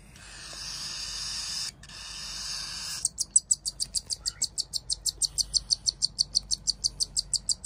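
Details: Pet cockatiel chicks, two siblings of very different size, begging during hand-feeding; a rasping hiss for three seconds gives way to high, clipped peeping pulses repeated about four times a second, steady and rhythmic.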